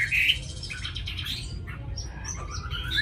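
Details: Tame Chinese hwamei from Hanoi, Vietnam; a short loud whistled note, then softer scratchy varied notes and a faint rising whistle over low background rumble.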